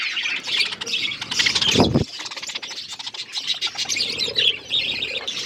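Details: Budgerigar flock feeding: busy scratchy chatter and chirps from many birds, with a sharp low thump or rustle near the second mark and softer lower murmurs beneath the high chatter.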